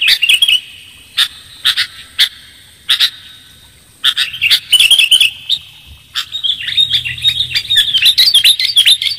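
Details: Sooty-headed bulbul used as a lure: spaced single and double high chirps, then denser twittering phrases that build into a busy, continuous chatter at the end.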